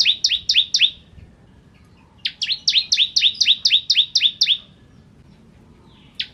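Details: Bar-winged prinia singing, recorded to train white-rumped shamas: short rapid phrases of doubled, high, swooping chips, a two-note pattern repeated four times a second, broken by quiet gaps.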